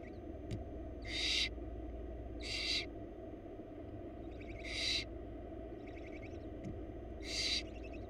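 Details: Young wild barn owls in a Florida nest box begging as their mother feeds them; four rasping hiss-screeches spaced roughly every one to two seconds, with fainter screechy notes between, against constant low background hum.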